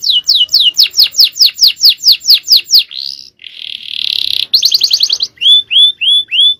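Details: Male canary singing at full power in champion style: a long run of loud down-slurred notes about three per second, a pause, a rough buzzy rattle, a quick trill, then rising whistled slurs.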